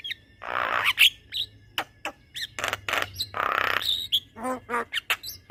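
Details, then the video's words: A Javan myna singing energetically in long rolling phrases used as a model for other mynas: long grating rasps, sharp high chips and a pair of low nasal notes. "Jalak Kebo Gacor Ngeroll Panjang"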